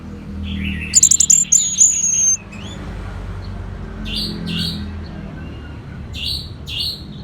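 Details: Orange-headed thrush delivering a rapid, ringing burst of very high clipped notes and a thin sustained whistle, followed by quieter spaced pairs of short chirps.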